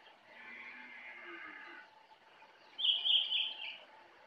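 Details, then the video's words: Jongkangan singing in the forest at Kintamani, Bali: a faint, hazy mid-pitched warble for nearly two seconds, then a louder burst of bright, high, buzzy notes lasting about a second, over soft forest background. "Jongkangan Gacor Dari Hutan Kintamani, Bali"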